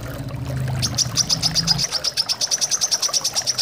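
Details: Brown-throated sunbird chirping, a track meant to prompt kept birds into song: a fast, high, evenly spaced series of sharp chirps, about seven per second, over steady running water, with a low hum at the start.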